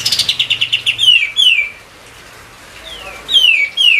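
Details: White-eye singing a lure song meant to draw song from other songbirds: a quick run of about ten chattering notes, then several clear downward-sliding whistles, a brief lull, and more falling whistles.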